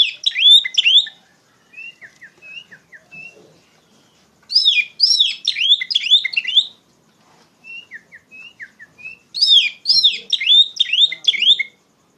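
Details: Oriental magpie-robin giving loud, open trigger song used to tutor young magpie-robins. Dense bursts of sharp, high whistled and slurred notes arrive about every five seconds, separated by soft, scattered short whistles.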